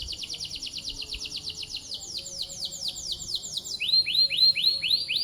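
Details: Canary singing a fast series of high downslurred chirps, about four per second, in steady runs that change note shape twice, the last phrase louder and rising-falling, with a quiet background.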